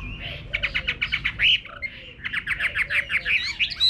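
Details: Chinese hwamei heard in a rural garden, delivering bursts of quick, repeated chattering notes in two fast runs separated by a brief pause, ending in a higher whistled flourish.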